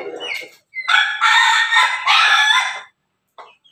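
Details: Pelung chicken crowing: a short raspy opening note, then a long, rich harmonic crow held for about two seconds with a slight dip midway, ending abruptly, followed by a faint brief sound.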